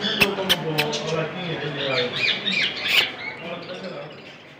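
Small parrots chatter in quick, squeaky, high-pitched notes several times a second, with sharp clicks and human voices talking in the background.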